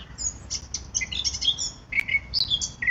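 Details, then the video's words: Sweet, fluty phrases from a Eurasian blackcap: clustered high chirps followed by lower, clearer whistled notes that slide down, with a quiet background. "Mönchsgrasmücke Gesang und Rufe"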